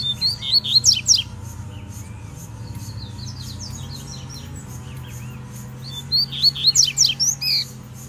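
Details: Territorial song of a wild double-collared seedeater provoking a fight: dense, fast volleys of shrill chirps and down-sweeping notes open and close the stretch, with softer twitters between and a steady pulsing hum behind.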